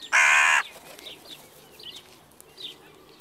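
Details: One sharp, grating caw from a crow at evening, brief and loud, with faint chirps of small birds continuing afterward.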